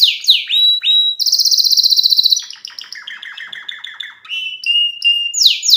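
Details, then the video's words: Canary chicks in an excited state singing fast, varied phrases: sharp downward-slurred notes, a rapid high buzzy trill, a series of lower repeated chirps, then clear whistled notes and rising sweeps. "الصيصان الكناري وصوت الهائل"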